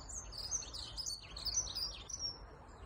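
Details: Dunnock singing at the edge of a reservoir: a rapid, high, jingling warble of thin metallic notes running continuously for nearly three seconds over a low background rumble.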